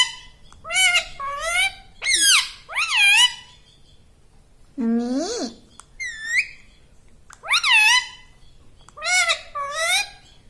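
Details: Pet tota parrot speaking like a human, saying "mummy" and "mitthu": a run of voiced, bending syllables in paired phrases, one lower drawn-out word mid-sequence, each phrase separated by near-silence.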